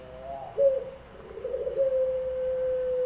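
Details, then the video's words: Barbary dove of the puter pelung type competing at an online singing contest in Semarang, Central Java, on 7 August 2021, giving a brief wavering start and then a very long, even, held coo for over two seconds; low hum underneath. "Lomba Puter Pelung"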